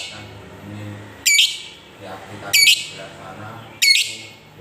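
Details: Long ngekek chatter of a lovebird meant to stir other lovebirds to sing; three loud scratchy high squawk bursts spaced evenly, with low background murmur.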